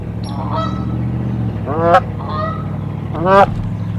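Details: A Canada goose defending its nest against an intruder at Decorah: two prominent drawn-out, slurred honks with stacked harmonics, plus fainter calls, over a steady low mechanical hum.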